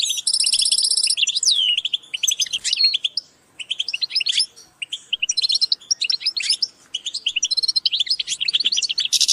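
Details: European goldfinches give group calls, used as motivation for birds. A grating buzzy trill starts things off, then restless sparkling twitters and chips carry on almost without pause.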